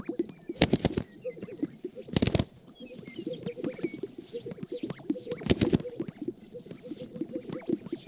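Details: Wild sage grouse displaying on a lek on the prairie at sunrise in spring, dancing to attract a mate: dense low plopping and bubbling pops from many birds, several loud swishing bursts, and thin whistled notes of other birds above.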